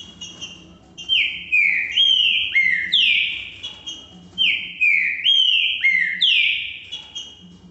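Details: A green-winged saltator (Saltator similis), in the song type known as "que que eu fiz Valdir", sings loud, clear whistled phrases of slurred notes that rise and fall, repeated twice, with a faint low hum behind.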